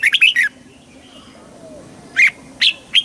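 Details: Red-whiskered bulbul singing, a recording meant to excite the bird: a quick burst of warbled whistled notes, a quiet pause, then three separate sharp chirping notes.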